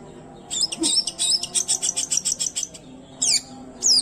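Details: Long-tailed shrike, unedited song to provoke silent or stressed shrikes: an even run of about a dozen high clipped notes, followed by two separate slurred whistles.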